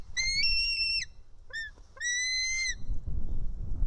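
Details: White-tailed eagle chick on a nest in Estonia, screaming while an adult feeds it fish, nest camera, 4 July 2018, 1:10 pm: three high, harmonic, level scream notes, the middle one brief, over low rumbling background noise.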